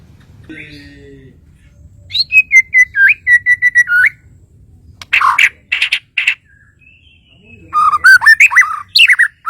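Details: Murai batu of Kalimantan gives a faint, thin opening whistle, then a string of clear repeated whistled notes, a few rough, harsh bursts, and a final tumble of twisting, warbled phrases over a soft low hum.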